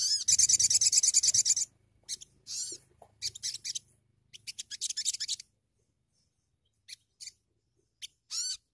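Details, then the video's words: A sunbird's lure song for newly caught birds: a thin, high, rapid trill for over a second, then short bursts of sharp twittering notes, each under a second, with pauses between. "PANCINGAN BUNYI SOGON BAHAN"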